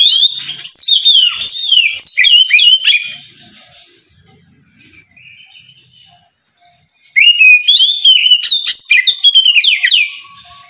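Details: Oriental magpie-robin singing in the morning to provoke rivals into answering: loud, rich whistled phrases with sweeping rising and falling notes and rapid trills, a quiet pause with soft distant whistles, then another vigorous burst of varied song.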